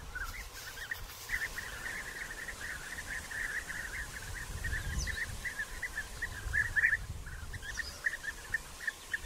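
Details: Several European bee-eaters in early June 2021, still digging nest burrows during courtship gift-giving and mating, give short, rolling, liquid calls, many each second in an overlapping chorus, over a low rumble of wind.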